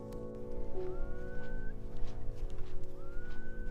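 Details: Eurasian curlew near a beach in the evening before sunset: two clear, rising whistles, each sliding upward and held, about two seconds apart, over steady background music.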